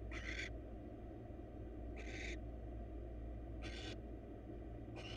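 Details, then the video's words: A wild male barn owl brings the female a mouse at a nest box; short breathy screeches repeat roughly every one and a half seconds, four in all, against a low constant hum. "Male barn owl bring female a mouse for dinner."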